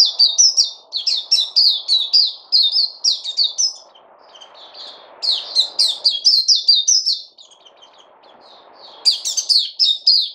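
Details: Pet songbird sings loud, rapid volleys of sharp, high chirps separated by quieter pauses with a low background drone.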